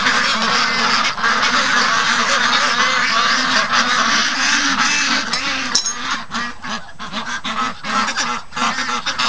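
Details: Domestic ducklings raised for 55 days, in a noisy morning rush to leave their pen after the keeper overslept; harsh, densely layered quacking from the whole flock, easing slightly in the final seconds.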